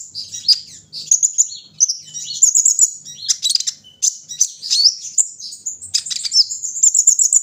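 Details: Kolibri ninja sunbird in early morning outdoor dew-airing, pouring out an extremely high, rapid twitter of squeaky chips, sharp ticks and tinkling warbles in dense runs with short gaps.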